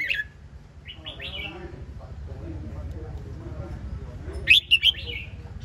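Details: Red-whiskered bulbul: soft rising whistles early on, then a loud quick phrase of three sharp chirpy notes near the end, with low background rumble.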